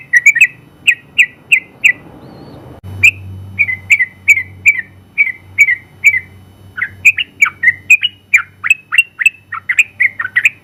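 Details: Caged Sooty-headed bulbul, a winning trucukan in long ropel song used as tutor, repeats crisp whistled notes about twice a second, then speeds into a hurried tumble of slurred notes; a low hum runs behind.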